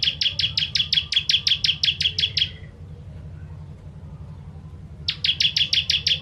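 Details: Bar-winged prinia, called ciblek, in 'kristal tembakan pedas' song used to train songbirds: a two-and-a-half-second string of rapid shrill chirps, a silent gap of about two and a half seconds, then another fast chirping run begins.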